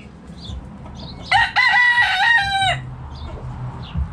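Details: Backyard rooster crowing: a single loud cock-a-doodle-doo of about a second and a half, rich stacked harmonic tones held steady, then dropping at the end, with faint small-bird chirps and a low rumble around it.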